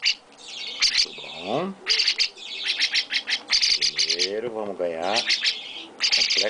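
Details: Baby chestnut-cheeked starling with its owner, who speaks Portuguese about giving it vitamins. Bursts of scratchy, high chirps alternate with a woman's voice sliding up and down.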